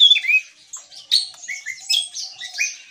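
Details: Shrill, excited notes from a Javan tesia singing gacor ngeplong: bright whistled upslurs and sudden sharp chips separated by short pauses, over a faint steady low tone.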